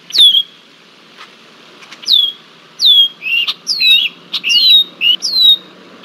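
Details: A red-winged blackbird harries a bald eagle in Decorah, Iowa, on 20 July 2023. High descending whistles come quickly, mixed with lower buzzy chattering notes in a busy run near the end. Soft background rustling is heard.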